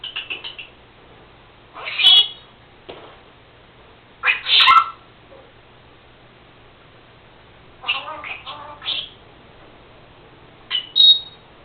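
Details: House-kept female Senegal parrot that talks and mimics sneezing; scattered loud squawky bursts and chattering phrases with clicks between them, spread across the recording in a quiet room.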